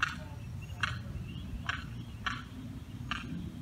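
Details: A tiny lost Limpkin calling for its mother across a fence, five harsh notes at uneven intervals over a constant low hum.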